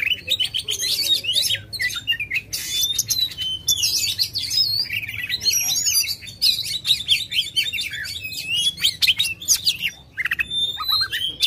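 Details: White-rumped shama in aggressive, tail-spreading song meant to spur a silent bird: long torrent of high chattering, clicking notes and slurred whistles, nearly continuous for over ten seconds.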